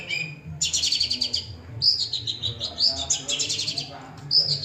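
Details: Long-tailed shrike singing and mimicking other birds: dense bursts of harsh, rasping chatter mixed with short clear whistled notes, high-pitched and varied, continuous over several seconds with no pauses.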